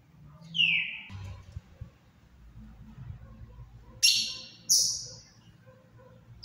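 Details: Ultramarine grosbeak (azulão) in captivity, singing softly in the Paraná style: a few clear whistled downslurred notes spaced apart, with faint low background hum.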